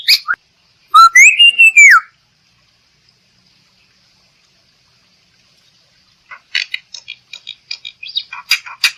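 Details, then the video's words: Black-winged myna, played to lure other birds into singing: a brief harsh note, then a loud arched whistle rising and falling over about a second, a long silence, and a burst of scratchy, clicking chatter near the end. "Suara Burung Jalak Putih"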